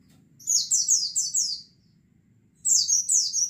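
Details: White-eye flock, used as a lure recording: a rapid run of five high, sliding chirps, a pause, then another burst of sharp, thin notes, over a soft low murmur.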